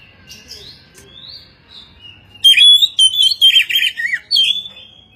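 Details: Oriental magpie-robin giving a dense, scratchy phrase of rapid harsh notes, buzzy and rich in overtones, lasting about two seconds. It follows quieter drawn-out whistles and ends with a short trailing whistle.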